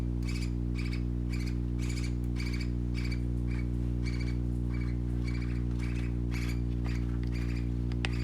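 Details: Parakeet babies playing, uttering a regular series of short, high squeaky chirps spaced about every half second, while a continuous low drone runs beneath them.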